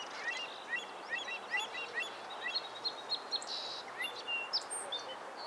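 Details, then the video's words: A Song Sparrow sings a quick run of bright, chirpy notes, then a short buzzy phrase, over a steady hiss of outdoor background noise. "Song Sparrow"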